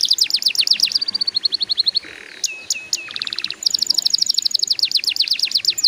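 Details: Canary song played to prompt young birds to sing: quick repeated downslurred notes, a short harsh buzzy burst, a few pure whistles, then a long rapid sparkling trill.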